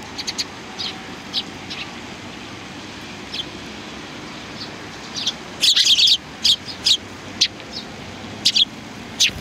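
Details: Several sparrows, including a pair, chirp in short bright bursts, sparse at first and then clustering into a quick run of sharp high notes near the end over a steady low hum.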